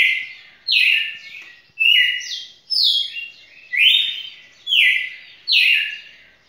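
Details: Red-cowled cardinal, a champion singer, on a song run lasting beyond two minutes; loud slurred whistles, each phrase stepping downward, delivered about once per second in a steady series of six.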